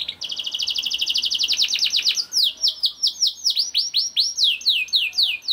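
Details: Young canary singing as a lure to prompt other canaries to sing: a fast, even trill of rapidly repeated high notes for about two seconds, then a run of loud, downward-sweeping whistled notes, roughly two per second.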